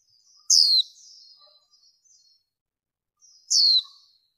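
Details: Female warbling white-eye with a sharp, high note that slides steeply downward, followed by a thin trailing twitter. The phrase repeats once about three seconds later against a quiet background.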